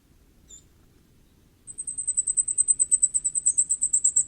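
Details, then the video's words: Common firecrest. After a single very high note, a rapid run of about twenty thin, very high-pitched notes quickens and grows louder, with a brief lower twitter near the end, against a quiet background. "火冠戴菊的叫聲/Sound of Common Firecrest"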